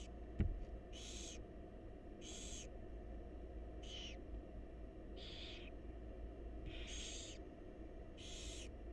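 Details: Wild barn owl young begging during feeding by the mother in a research nest box; a sharp click at the start, then six rough hissing bursts roughly every one to one and a half seconds over low hum.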